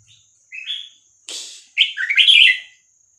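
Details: Vietnamese 3-4-5-6-7 style song of a red-whiskered bulbul, used for tutoring young birds and stirring birds up: two short whistled notes, then a noisy rustle, then a dense tumbling warbled phrase.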